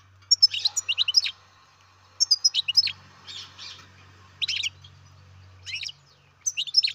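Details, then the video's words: Young European goldfinch bred in captivity, calling in repeated groups of rapid, high, downslurred chirps roughly every two seconds over a low background hum. "Καρδερίνα εκτροφής μωρό (Goldfinch carduelis baby"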